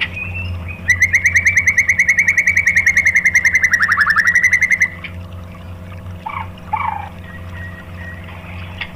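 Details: White-rumped shama singing a 'tembakan' lure to provoke other shamas: one long, very rapid rattling trill lasting about four seconds, dipping in pitch near its end, followed by faint short calls.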